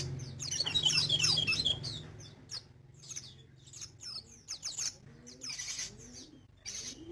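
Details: Sogon in full song: an intense, rapid, high twittering outburst in the first two seconds, then scattered faint notes and clicks, with a steady low hum behind.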